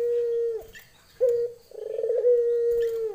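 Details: Female Barbary dove calling to a male: a steady mid-pitched hum, a brief break, then a sharp short note followed by a long, rolling, vibrating coo.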